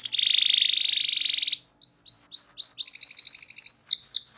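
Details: Local canary singing hard on a training recording: a long, loud, dense rolling trill, then bright upward-swept whistles and quick rattling trills at two pitches.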